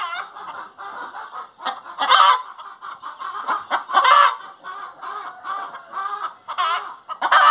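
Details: Hen singing in a long run of clucks and harsh, harmonic bursts, with loud peaks about every two seconds.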